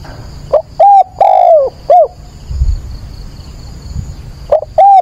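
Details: Decoy spotted dove calling at dawn on 22 October to stir and train newly caught doves: a four-note cooing phrase, short note, clear coo, long falling coo, short closing note, then the next phrase begins; a faint steady high whine underneath.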